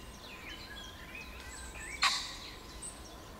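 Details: Agitated common pheasant crowing from bushes, 29 June 2020: a single sudden harsh, loud burst, with faint whistled songbird notes before it in the background.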